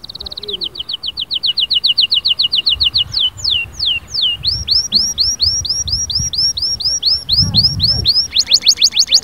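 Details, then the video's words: Canary song with a long, regular series of repeated short notes. Faster swooping notes follow, then a rolling trill of hooked notes and a bright closing roll. "اياك وتقول عصفوري الكناري ساكت"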